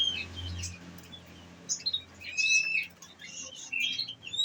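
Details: Caged olive-backed sunbird kept on nectar, singing in the bursting 'nembak' style: scattered thin high chirps and short sharp whistles, sparse at first, then denser quick notes in the second half.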